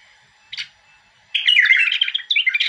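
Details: A bulbul gives one short chirp, then after a brief pause launches into a dense, rapid warbling phrase of jumbled liquid notes that runs to the end.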